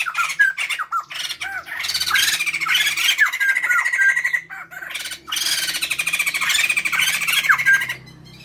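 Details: Male and female white-crested laughingthrush calling noisily together, offered as a lure for birds at home: two long rollicking bouts of harsh cackles and chatter, separated by a short gap, ending abruptly in near silence.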